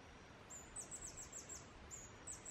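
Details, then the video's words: Singing male Blue-throated Goldentail, Guatemalan foothills: a rapid series of about nine thin, high, down-slurred squeaks, closely spaced, with faint background hiss. "Singing Blue-throated Goldentail"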